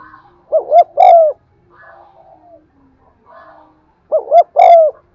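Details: Spotted dove in full cooing and driving voice, played to excite wild doves; two strong phrases about three and a half seconds apart, each a pair of short notes then a long mellow coo, with quiet soft notes in between.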